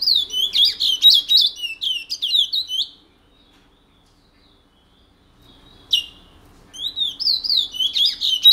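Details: Caged picolette (chestnut-bellied seed finch), kept since 1986, singing the rare regional Matiti style of French Guiana: about three seconds of rapid, sweet slurred whistles and trills, a pause, one sharp note, then the warbling phrases resume.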